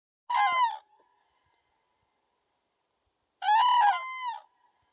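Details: Common cranes met by chance on fields in Poland, recorded from a van with its engine switched off, give two loud, rolling trumpet calls, the second longer, about three seconds apart against a quiet background.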